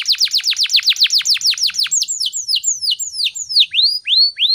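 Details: Canary singing vigorously in the morning as a training lure for other canaries: very rapid down-swept notes slowing into widely spaced arching whistles.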